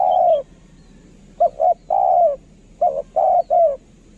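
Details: Spotted dove of the decoy line, kept for luring, with a kharom-style voice: a long falling coo, then two short clipped coos and a long coo, another pair of short notes and a drawn coo, over a faint low hum.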